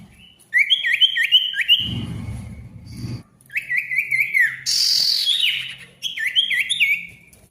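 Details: Loud singing male Ashy Tailorbird, meant to restart tailorbirds that have gone quiet. Rapid series of bouncing, up-and-down whistles, broken by a low rumble and a harsh buzzy burst midway.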